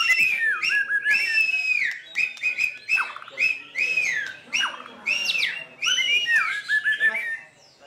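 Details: White-rumped shama singing in a caged-bird contest at the Plaza Cup 2015, Semarang, Indonesia: loud, rich whistled phrases that slur downward, mixed with sharp clicks and upsweeping notes, in bursts separated by short pauses.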